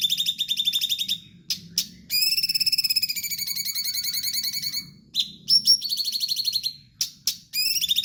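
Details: Sooty-headed bulbul in energetic song, delivering bursts of fast buzzy pulsed trills separated by short gaps, with a few sharp, higher clipped notes between the trill phrases.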